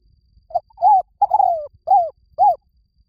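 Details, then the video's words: Spotted dove lure song: a soft low phrase of five coos. A clipped first note is followed by a swelling arched coo, a long descending croo, and two final rounded notes, with nothing else audible. "tiếng chim cu gáy mồi chuẩn cực hay"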